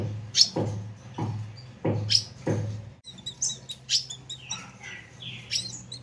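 An ultramarine grosbeak gives a fiery, hissing chatter of harsh, raspy bursts about every half second, then switches to quick high chips and twitters over a low hum.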